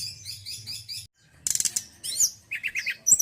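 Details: High warbled phrases from a male White-browed Shortwing, a brief silence, then a buzzy burst, sharp rising notes and a quick run of four repeated chirps.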